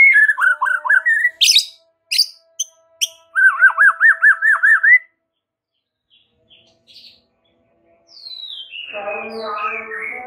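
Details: Murai batu master song: whistled notes, sharp clicks and a series of rapid looping repeated notes, then a long silence and a descending whistle over a harsh, buzzy harmonic passage.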